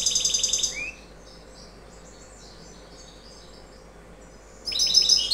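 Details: A European goldfinch, a ring-banded bird that has not yet moulted, gives bursts of bright, rapid, tinkling twitters, high and liquid, with a quiet pause between two lively phrases.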